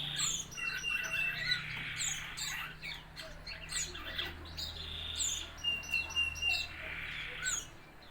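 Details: Red-eyed fig bird, four months old, learning to sing: busy high chirps and short twitters with a thin sustained trill, over a steady low hum.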